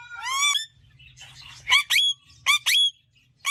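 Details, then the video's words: A talking green parrot gives harsh harmonic squawks: a long falling cry, then short rising bursts in pairs with quiet gaps and a low room hum underneath. "Talking Green Parrot Bird Natural Sound"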